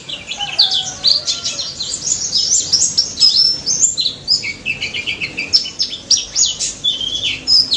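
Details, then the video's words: White-eye delivering a long ngalas-style song meant to coax silent birds into singing: an unbroken stream of high, quick twittering phrases with bright upward and downward slurred whistles. "BURUNG PLECI DAPUT GACOR NGALAS NEMBAK || PANCINGAN PLECI BISU DI JAMIN NYAUT"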